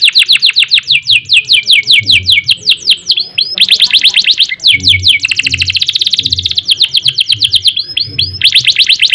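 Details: Singing canary in an energetic 'gacor' style with rolling and bursting phrases: dense runs of rapid downslurred whistled notes, several fast trills joined with brief pauses, bright and high throughout.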